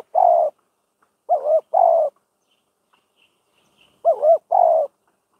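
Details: Decoy spotted dove in Thailand, kept for trap-cage training to lure wild doves: loud, burry coos in groups of two or three, a wavering two-humped note followed by a longer flat one, separated by silent pauses.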